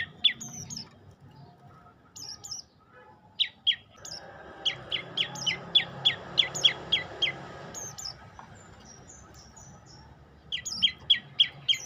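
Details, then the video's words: Olive-backed tailorbird pouring out a long, steady train of sharp, high ringing chirps about three per second, preceded and followed by shorter bursts, over a soft background wash of noise. "Kicau indah burung prenjak lumut"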